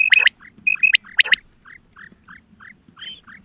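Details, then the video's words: Female quail hunting call: a few loud clipped whistles with clicks at the start, then softer short rising notes repeated about every quarter second. "Batair ki awaz Quail sounds Садои бедона мода bedana ovozi بٹیروں کی سپیشل شکاری آواز"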